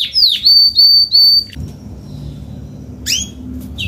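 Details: Adult Spanish Timbrado canary in salsa-style song: three bright whistled notes over one and a half seconds, then near silence broken by two short, sharp chirps.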